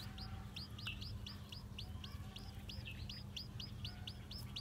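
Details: White black-tailed Japanese bantam chicks, just hatched and walking around, call with clear high peeps, each note rising then dropping, spaced about three per second, over a soft low hum.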